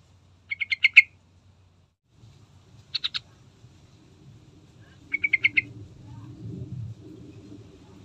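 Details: Lure sound of the Sooty-headed bulbul (trucukan), played to get birds singing: three quick bursts of five, three and four harsh staccato notes, over a low rumbling background noise.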